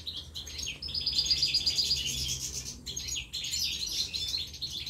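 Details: European goldfinch chicks begging while being fed at the nest, a dense continuous chorus of high, rapid twittering notes with a brief pause near three seconds, over low background rumble.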